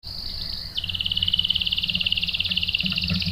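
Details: Canary bait song meant to provoke rolling replies: a high steady buzz stepping down into a rapid, rhythmic trill of short notes, with low background noise throughout.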